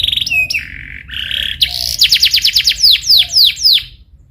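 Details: Canary singing as a lure for training another canary to sing rolls: steady whistled notes, then a run of quick repeated notes and several sharp descending swept whistles before falling silent.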